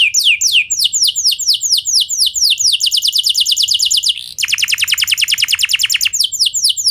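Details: Canary song played to provoke other canaries to sing back: high falling whistled notes, a quickened buzzy trill, a short break, then a lower, rich rattling trill before sweeping notes resume.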